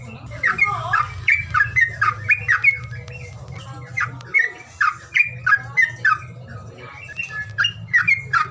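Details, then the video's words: Bird calling sound to rouse birds that are lazy to sing: bright, slurred chirps in quick groups with brief gaps, repeated through the clip, backed by a steady low hum. "SUWARA PANGILAN BURUNG MALES BUNYI"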